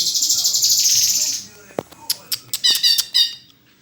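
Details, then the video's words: Murai (white-rumped shama) singing a rapid, buzzy chatter of high repeated pulses for about a second and a half, then a pause and a string of sharp clicks and short bright notes. "SUARA INDAH BURUNG MURAI GACORRRRR!!!"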